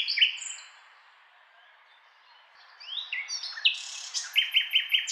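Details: Singing nightingale: a loud chirp and whistle, a quiet gap, then varied rising notes leading into a rhythmic run of repeated sharp notes about five per second.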